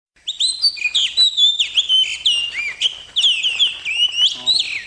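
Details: Kept oriental magpie-robin (kacer bakalan) singing actively, known as gacor: a rich run of clear whistled phrases, sliding notes and sharp chirps, high and varied, coming in quick bursts after a brief quiet start.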